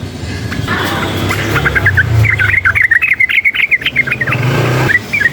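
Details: Wild sooty-headed bulbul, excited by nearby noise, delivering a quick burst of chattering, warbling notes in a steady run after scattered chirps, over a low rumble of passing traffic.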